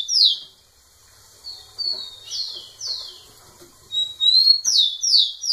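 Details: Rufous-collared sparrow singing repeatedly in a female's face: loud descending whistled notes, a pause, then a steady series of falling slurs. The phrase ends in a brisk cluster of bright downward whistles, with faint rustling in the background.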